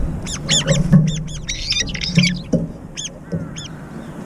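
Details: Brown-eared bulbuls fighting over food, each trying to keep the bowl to itself. Harsh, piercing, strongly arched screeches repeat in quick succession, with a softer trailing call near the end and faint low background noise.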